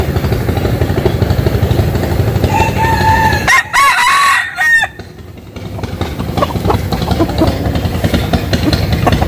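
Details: Rooster crowing in the morning at a village home in Vietnam's western region: a long harmonic crow breaks into stuttering notes, then short clucks, over a steady engine or motorbike rumble.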